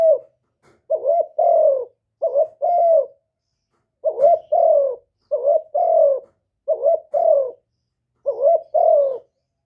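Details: Spotted dove decoy call used to lure wild doves: low hoarse cooing phrases, each a short double coo followed by a longer drawn-out coo, repeated irregularly with brief gaps; clean, with no other sounds.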